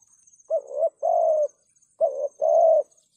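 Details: Two phrases of spotted dove cooing, thúc gù style in a 'sát bổi' voice for luring wild birds: each a short wavering coo followed by a longer, smooth, slightly falling one.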